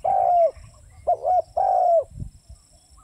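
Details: Spotted dove cooing: a long, level coo, then a short clipped double note, then another drawn-out coo, all low and mellow, with nothing else competing.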